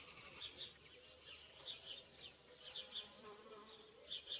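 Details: During courtship in a town in Zamora, Spain, a great spotted cuckoo gives its typical call: short, scratchy, chattering bursts, about eight of them in irregular pairs and groups, over constant low noise.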